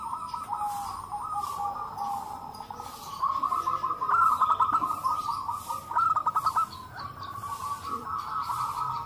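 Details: Group of local zebra doves calling together in reply to one another, used to encourage other doves to call; steady overlapping cooing that grows louder midway into quick stuttered pulse series, then softens.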